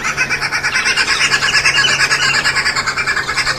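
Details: Green wood hoopoe at a feeding table, a very noisy bird; steady harsh cackling in rapid pulses, about three per second, with a low steady hum underneath.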